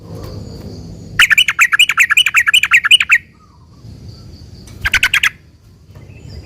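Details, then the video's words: Sooty-headed bulbul song played to provoke other bulbuls into singing: a two-second rapid run of harsh, buzzy chirps, a pause, then a brief matching burst. "trucukan gacor ROPEL PANJANG ini buat pancingan trucukan agar bunyi"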